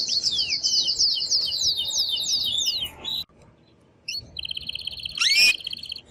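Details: Male canary in an intense, excited song meant to stimulate a female to mate: a fast series of high descending whistled sweeps, a brief pause, then a dense buzzy trill with a sharp rising note near the end.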